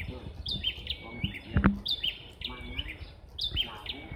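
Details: Bar-winged prinias calling back and forth as if competing over who is louder. Short, bright chirping phrases with a sharp upward flick, repeated roughly every second. A low thump near the middle, with faint rumbling background noise.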